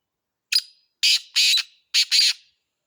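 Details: Black francolin calling: a harsh, grating phrase of one short note followed by clipped, raspy bursts in two groups, loud and close against a silent background.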